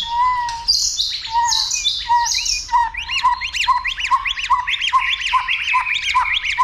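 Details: White-rumped shama, a bird stimulated to sing a lot and provoked to fight, tail-flicking; loud varied song opening with low whistles and high rasping bursts, then rapid repeated arched whistled notes, several per second.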